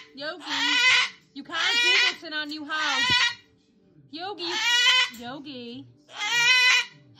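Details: An umbrella cockatoo's tantrum: five loud, raspy screeches, each about half a second to a second long, coming in irregular bursts, with lower wavering vocal sounds mixed in beneath.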